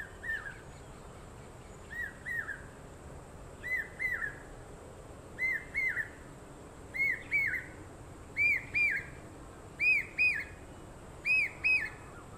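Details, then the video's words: Common hawk-cuckoo in Nagpur during the monsoon, archive recording possibly from 2016, repeats a shrill three-note whistled phrase every second and a half, climbing in pitch and loudness to a crescendo on the ninth call, over a steady insect hum. "Crescendo on 9 th call Common Hawk Cuckoo"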